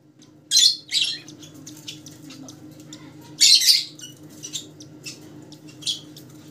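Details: Colour-mutation rosellas producing two loud harsh squawks, then another after a pause, with softer scratchy chatter between and a constant low hum indoors.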